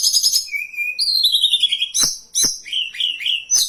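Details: Hill blue flycatcher song recorded as a lure and training tutor: a clear level whistle, then a long sweet descending whistle, sharp chips, and a wavering series of clear notes, all high and melodious.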